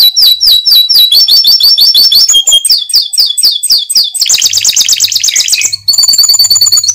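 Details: Atlantic canary song meant to prompt other canaries to keep singing: rapid repeated high whistled phrases, each shifting to a new trill, ending in a dense buzzy rattle and then ringing steady notes.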